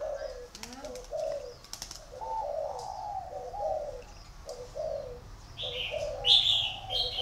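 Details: Spotted dove cooing at a breeding garden in Ba Vì district, northern Vietnam: a run of mellow, hollow coo notes in short groups, while another small bird adds high chirps near the end and a few sharp clicks sound early.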